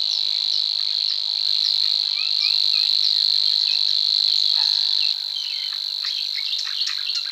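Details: Male Savi's warbler, Czech Republic, singing in mating season to mark territory: an unbroken high, dry chirring reel like an insect, slightly dropping in loudness after five seconds, with scattered short notes of other birds.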